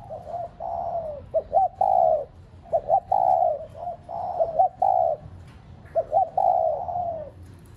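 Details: Spotted dove serving as a decoy, cooing to prompt caged doves: steady series of phrases, each a couple of clipped notes followed by a prolonged, soft, downward coo.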